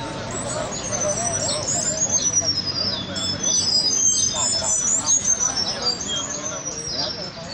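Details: Several Cuban bullfinches, fighting and singing, trade thin, high, sweeping whistles and twitters in rapid overlapping bursts over a steady background murmur; recorded in Cuba.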